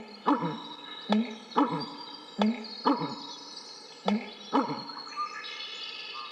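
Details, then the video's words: American bittern giving deep, hollow, gulping low notes, each with a sharp knock at the start, repeated roughly every second and a half. "American Bittern - Bird Sounds"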